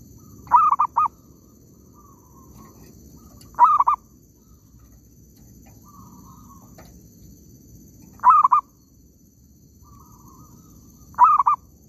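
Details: Zebra dove in an oil palm plantation, recorded while trapping birds. Four short bursts of quick, stuttering, mid-pitched cooing notes come every three to four seconds over a low background hum.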